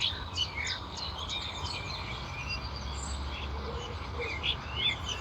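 A Eurasian blackcap borrows a blackbird's fluty phrase, then returns to its own quick, chattering warble of high notes, over a low steady rumble.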